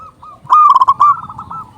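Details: One loud phrase from a vocal, big-voiced local zebra dove, used to lure doves: a quick run of pulsing, throaty coos, trailing into softer cooing from another dove.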